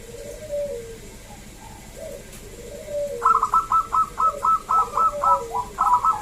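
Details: Local zebra dove singing, played to lure other zebra doves into song: soft low coos for three seconds, then a loud run of rapid, evenly spaced staccato notes, about eight clipped pulses in close sequence, with other quieter cooing beneath.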